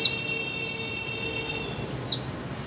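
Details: Female white-eye call meant to stimulate mute birds to sing: soft, high, slurred notes repeated quickly, then one loud, sharply falling chirp near the end over light hiss.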